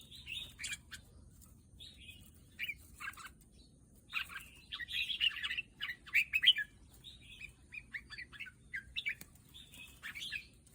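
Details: Red-whiskered bulbul singing in short bursts of warbled, bubbly notes between gaps, some phrases louder in the middle, over a faint low hum.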